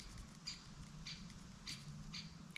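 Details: A small black-and-white woodpecker, fairly common in Finnish suburban woodland near a campsite, gives faint, sharp, high calls about every half second, over a low outdoor rumble.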